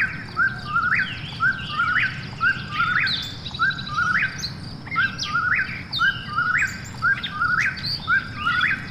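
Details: Eastern whip-poor-will night call: a long run of evenly spaced phrases, each swelling into a sharp upward flick, with a second bird's higher, overlapping calls and soft rural background noise.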